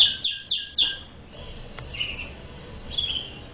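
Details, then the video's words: Domestic canary giving three loud, sharp downslurred chirps in quick succession, followed by softer, higher twittering notes after a pause, against a faint background hiss. "The sound of a very sweet canary bird was heard"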